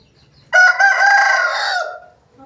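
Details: A single crow from an Aseel rooster, starting abruptly with a short syllable, then a sustained rough tone held steadily for over a second before trailing off, with little else audible.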